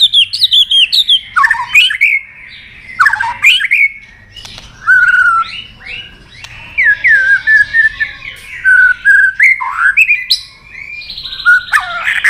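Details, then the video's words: Extended white-rumped shama training song mixing many forest voices. Rich phrases of fluty whistles, slurred downward notes and twittering trills come in bursts, separated by short pauses. "Luyện Nhiều giọng dài cho chòe lửa cực chất. chòe lửa kéo dây đảo nhiều giọng rừng. tạch đập đuôi"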